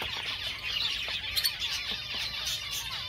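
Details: Java sparrow song: bright, rippling twitters and quick piping notes from several birds blending into a continuous high chatter, with a brief louder burst midway.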